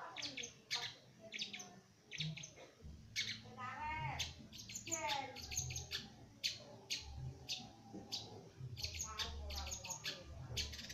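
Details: Young Long-tailed Shrike just beginning to sing, trying out its song in rambling bursts of harsh chatter, sharp ticks and slurred whistles, with a low murmur of voices behind.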